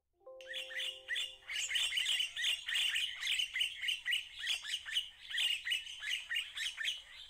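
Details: Red-winged starlings in a Pretoria garden in January 2024 keep up a dense, high chatter of chirps, several per second for seven seconds, with a few low, steady tones briefly at the start.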